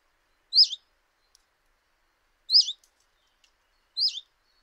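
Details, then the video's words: Three loud, clear calls come from one common chiffchaff at a kitchen window in Eibar in early March 2018. Each is a quick high note that bends down and wobbles, spaced one and a half to two seconds apart, in otherwise quiet surroundings. "Txioa (Phylloscopus collybita)"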